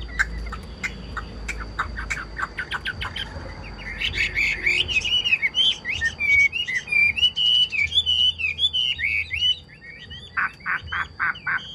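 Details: Caged Chinese hwamei, kept as a songbird and praised as singing very well: scattered short chips, then a loud run of rich, varied whistled phrases rising and falling, ending in a few sharp, clipped notes.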